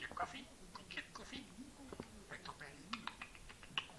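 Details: A talking budgerigar meeting a new six-week-old young budgie chatters quietly in mimicked Dutch and English speech, including "cup of coffee with a cookie?", mixing soft clicks, chirps and muttered word-like warbles.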